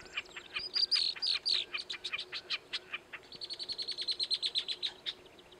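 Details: A male Wilson's Snipe on a fence post in the Alberta foothills, southwest of Calgary, on a warm July day in 2017, gives a long run of sharp, high notes: a few slurred, then about eight per second.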